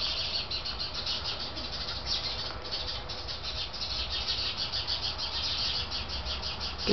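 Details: Hummingbirds and another bird species chatter in a steady, agitated stream of high, sharp chips, mobbing a cat that has caught a fledgling. Other birds call in the background, over a low outdoor rumble.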